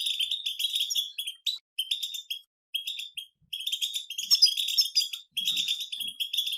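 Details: European goldfinches in a group chorus of batbata twittering from nature. It is dense, high, tinkling chatter of rapid buzzy notes in bursts of one to two seconds, with brief pauses between them.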